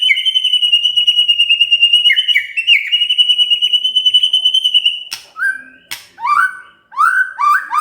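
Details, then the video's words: A provoked white-rumped shama sings back eagerly. A long, pulsing whistled trill holds level for five seconds, then breaks into separate sharp clicks and short whistles that rise and fall. "tidak nyampe 3 menit murai TERPANCING emosinya, nyaut GACOR✅ shama bird"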